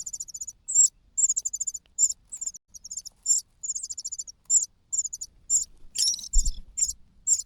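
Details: Loud begging from a hungry cuckoo chick, while the host's natural chicks are full: rapid series of very high, rattling, pulsed squeaks in short bursts repeated steadily, with a brief thump near the end.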